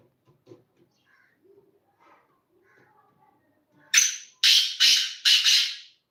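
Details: Black francolin calling: after quiet murmurs, a sharp note with a thin whistle on top, then three harsh grating bursts, loud and broadband, about half a second each.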